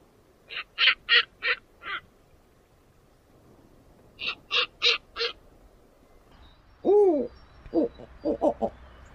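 Snowy owl giving two bursts of five harsh, rasping barks, then a few lower, wavering, descending cries and quick scratchy notes.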